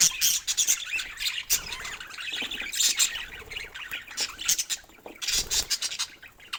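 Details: Pet budgerigar giving loud, harsh squawks and scratchy chatter in dense, overlapping bursts, with short pauses between busy stretches.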